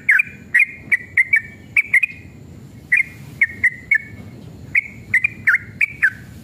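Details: Fighting-mood sooty-headed bulbul song used as a lure to make other bulbuls respond: short whistled notes with downward slurs, delivered in irregular clusters of two or three, light clicking alongside.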